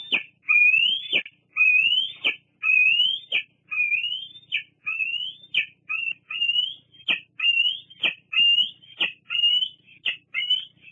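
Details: Bald eagle squeeing nonstop beside its mother at Fraser Point in August 2022: around eleven shrill whistled squeals. Each rises slightly and snaps off with a harsh click, in a steady run of about one per second.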